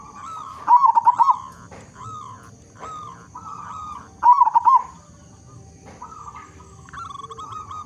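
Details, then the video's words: Local zebra dove with a loud, big voice, used as a lure to get other zebra doves singing: two bursts of rapid, bubbling coos near one kilohertz, about three and a half seconds apart, with softer, steadier cooing phrases from more distant doves between. "Perkutut Lokal Gacor Suara Besar Cocok Untuk Pancingan Semua Jenis Burung Perkutut Agar Bunyi"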